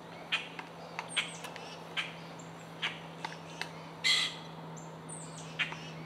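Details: Pileated woodpecker (Dryocopus pileatus) in Corkscrew Swamp, Florida, giving single loud, harsh notes spaced about one to one and a half seconds apart, over a steady low hum.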